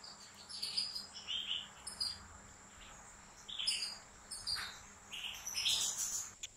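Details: Caged European goldfinch in a professional breeder's large aviary, delivering a broken series of short, high, sparkling tweets and buzzy notes in clusters, with a faint hum in the background.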